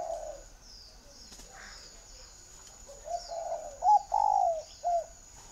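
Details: A captive spotted dove used as a decoy bird coos during training. After near silence, a run of low, throaty hoots builds to louder, drawn-out notes, ending with a short final coo. A faint high hum sits in the background.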